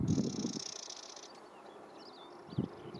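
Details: Male spectacled warbler at Gáldar, Gran Canaria, February 2023, giving its repeated dry, high, buzzing trrr rattle lasting over a second; faint thin whistles follow, with low thumps and rumble underneath.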